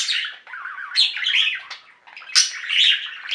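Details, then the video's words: Pet budgerigar flock singing: a busy, scratchy warble with chattering notes and two sharp high squawks that rise out of the chatter. "Most Beautiful Budgie songs Ever: Budgies singing and chirping"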